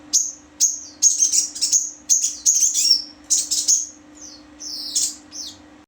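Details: Crimson sunbird, called sogon, delivering high, thin chirps and quick trilled clusters in uneven bursts, ending with softer descending notes; a faint steady hum is audible throughout.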